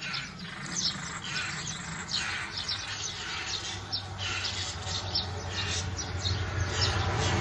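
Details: European rollers in the Kiskunság, Hungary, contesting a nest site at a thatched inn roof during days of territorial fighting; rough, rasping bursts repeat irregularly about twice a second over a steady low rural hum.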